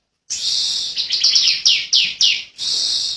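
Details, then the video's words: A bar-winged prinia (Prinia familiaris), an Indonesian endemic, gives a loud, high buzzy trill broken by a run of quick descending chirped notes, then resumes the sustained buzzing. "Ciblek Kali | Cikal Super Ngotot Ngebren Rapet Panjang"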